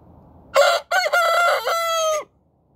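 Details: Morning crow of a rooster, loud and rasping, starting with a short burst, then a break and a long sustained cock-a-doodle-doo that holds steady before falling off at the end.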